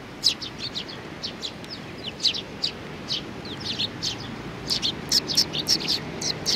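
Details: Sparrows, including young ones, recorded on 27 June 2019; short bright chirps repeat in irregular bursts, thickening into a rapid cluster near the end, over a steady broadband background hiss.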